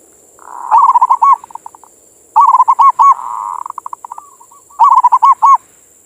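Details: Local zebra dove (perkutut) singing its manggung song as bait or morning therapy for other doves. Three phrases of bubbling, stuttering coos, the middle one stretched into a long hum ending in quick soft pulses, over a faint high whine.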